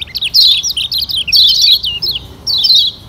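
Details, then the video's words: Kecial kuning from Lombok singing a lure song meant to spur other birds into song: bursts of rapid, high, sweet twittering phrases, each lasting about a second, separated by brief gaps. "Pancingan Kecial Kuning Paling Ampuh Bikin Kecial Gacor Parah"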